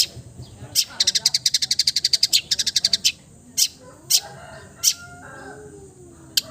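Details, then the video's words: Long-tailed shrike, a handsome bird said to imitate all kinds of other birds' voices, giving a fast run of about fifteen sharp high ticking notes, then scattered single clicks and a few faint lower slurred sounds. "MERDU SUARANYA, BISA MENIRUKAN SEGALA SUARA JENIS BURUNG | CENDET FULL MATERI"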